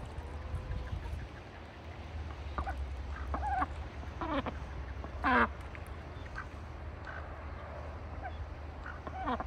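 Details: Wintertime farm ducks in a bucket, calling sparsely. Soft scattered quacks give way to one loud, raspy quack in the middle and a few quieter calls after it, over a strong low rumble.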